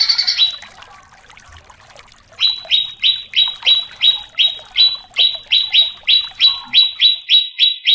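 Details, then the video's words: Greater green leafbird song played to excite competition birds: a brief high note, a pause, then a steady train of sharp downslurred notes about three per second. "Cucak Cungkok Istimewa ~ Full Isian Variasi ~ Pancingan Cucak Cungkok Emosi ~ Masteran Burung Lomba"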